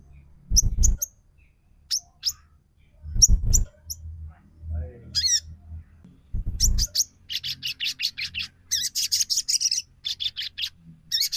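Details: Snowy-browed flycatcher lure sound, trotol style, meant to provoke a bird into singing: thin high ticking notes and short scratchy chattering bursts, broken by loud low thumps.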